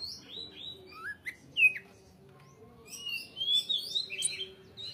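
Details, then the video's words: Greater green leafbird singing steadily with short pauses: scattered whistled notes and sweeping slurs, some rising and some falling, with a dense warbled burst near the end over a faint low hum. "KICAU CUCAK HIJAU GACOR JEDA RAPAT MATERI MANTAP"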